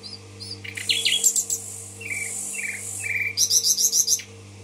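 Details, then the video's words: Tashkent nightingale song: brief high notes and downslurred chirps, a series of falling whistles, then a fast burst of loud repeated pulses, with a constant low hum underneath. "соловей гафиза булбул ташкент"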